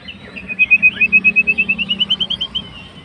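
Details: Fighter white-rumped shama provoking a rival: one long rapid trill of about sixteen evenly spaced whistled notes, gradually climbing slightly in pitch over some two seconds.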